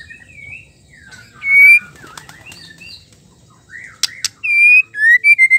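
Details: Female white-rumped shama song, used to stir male shamas into singing: clear whistled notes, a loud rising whistle, sharp clicks, then a quick series of bright whistled notes at the end.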